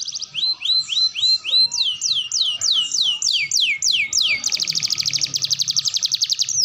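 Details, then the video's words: Canary song in a training recording for young, juvenile and adult canaries: a series of rising whistles, then falling sweeps repeated about three times a second, leading into a long rapid buzzing trill. "KENARI GACOR TEMBAKAN ISTIMEWA LANSUNG RESPON MASTERAN TERBAIK UNTUK KENARI PAUD| BAHAN|DEWASA"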